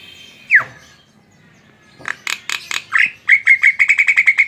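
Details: Javan myna song: a single loud falling whistle, a pause, then a run of rapid harsh notes speeding into a fast, even string of sharp repeated chips, about a dozen, at the end.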